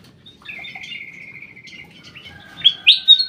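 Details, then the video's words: Caged black-crested bulbul in an aviary giving a long, even buzzy trill of over a second, followed by three loud, sharp whistled notes in quick succession. "BURUNG CUCAK EMAS \ KUTILANG EMAS SUARA MAKIN BENING"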